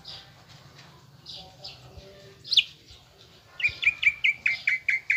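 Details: Greater green leafbird in a cage, lure song to rouse aggression: quiet opening with a sharp high note, then a fast run of repeated whistled slurs.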